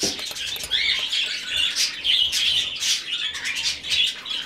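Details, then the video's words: Rescued budgerigar chick being hand-fed, giving continuous raspy, buzzy begging calls in rapid pulsing bursts, with brief pauses between surges. "Выкармливание птенца волнистика."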